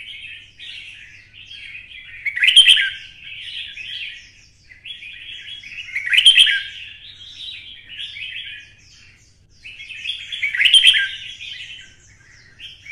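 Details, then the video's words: Red-whiskered bulbul, twisted voice, roused to sing for fighting: three similar song phrases about four seconds apart, each dense jumbled warbling building to a loud sharp peak. "CHÀO MÀO | Giọng xoắn - Kích chim xổ bọng căng lửa hót đấu"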